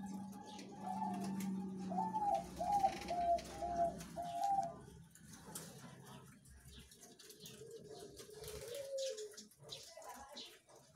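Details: Farm-kept zebra doves, young birds of half a year or less, recorded 3 July 2019; a rhythmic series of rolling coos for about five seconds, then a lower-pitched cooing bird answers, over a low background hum.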